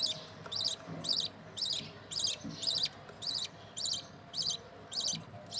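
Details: Baby budgerigars from a newly breeding pair, shown growing day by day, give high, rasping chirps repeated about twice a second in a steady rhythm.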